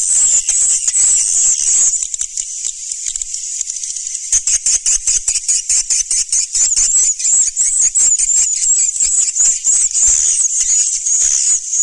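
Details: Swiftlets calling, "Surya Mentari" style: loud, sustained high twittering, first a smooth wavering stream, then rapid clicking pulses about two to three per second beneath the chatter.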